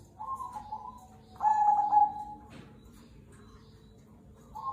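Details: Zebra dove of the cemani kolbuntet variety singing: a short soft coo, then a loud buzzy trilled phrase with a sharp click after it, quiet pause, and a new coo starting.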